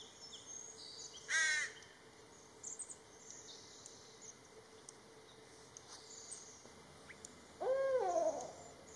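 Two loud, wailing barred owl calls, the second a rising and falling hoo-aww, separated by a quiet stretch with faint high chirps and a steady insect drone.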